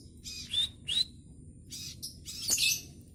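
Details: Young speckled scarlet minivet practising its song, giving a few loud, scratchy high chirps with brief sharp whistled notes, separated by pauses, ending in a denser rasping burst; low background hum throughout.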